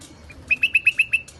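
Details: Iraqi white-eared bulbul among rooftop gardens delivering one short burst: six bright, identical whistled notes in rapid, steady succession, followed by a brief higher flourish.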